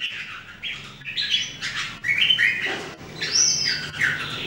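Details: Three Red-whiskered Bulbuls singing in daily training: varied warbling phrases with a high upslurred whistle, notes overlapping from several birds, steady background noise throughout.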